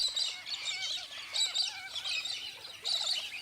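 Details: Galahs in outback Australia, a flock exploiting desert grass and shrub seeds, giving shrill, scratchy chirps in uneven bursts about every second or so, overlapping, with faint outdoor background noise.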